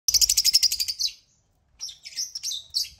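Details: African lovebirds (Agapornis) gathered on a millet-baited toy crane, giving a rapid burst of shrill, high chirps for about a second, then a pause and several scattered, harsher squeaky chirps.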